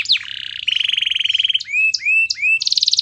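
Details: Canary master song for stirring other birds to sing; a drawn-out buzzy rolling tone, three upward-curving whistled notes each with a high click, then a dense rapid trill.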